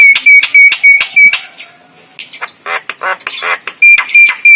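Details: Male white-eyed Javan myna giving a clear lure sound: loud, sharp, ringing whistled notes repeated rapidly, then a stretch of harsher scratchy chattering notes, ending with more repeated ringing whistles.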